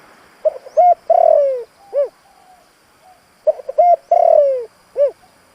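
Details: Spotted dove kept as a decoy to lure wild doves, in a native-toned voice: two matching phrases of stuttered short coos, a long gliding falling coo and one rounded closing coo.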